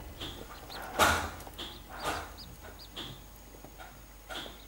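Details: Captive-bred corncrake chicks, seven days old, in County Offaly, Ireland, at feeding time with a masked keeper: scattered high peeps about once a second, mixed with louder rustles and knocks.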